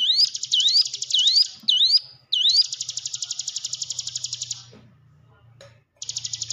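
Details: Hill prinia song for coaxing caged birds to sing: a quick run of rising swoop notes leads into a long, fast buzzing trill that fades, pauses, and starts again.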